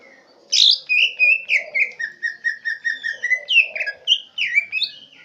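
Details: Green leafbird in Central Aceh, its song stuffed with swiftlet imitation: after brief quiet, a steady, regular train of short, bright whistled chirps, about three per second, with swooping notes near the end.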